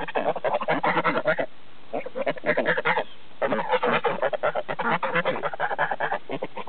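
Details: Geese on a farm in Lyndeboro, New Hampshire, honking and cackling in a dense, overlapping chorus of harsh nasal calls, with two brief lulls between bursts of noisy gabbling.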